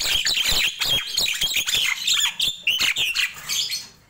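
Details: Lively morning chatter from a Nias hill myna: an unbroken run of harsh, buzzy squawks mixed with short upslurred whistles, fading at the end.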